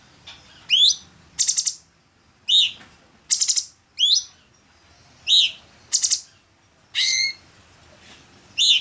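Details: Orange-bellied leafbird song as songbird training material: bright upward-sweeping whistled notes interspersed with short buzzy rattling bursts, delivered in separated phrases roughly every second.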